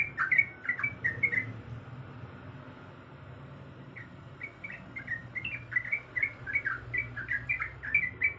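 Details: Sooty-headed bulbul female calling to the male: a quick cluster of chirps, a pause of about two seconds, then a longer run of short, bubbly, up-and-down notes, with low background rumble.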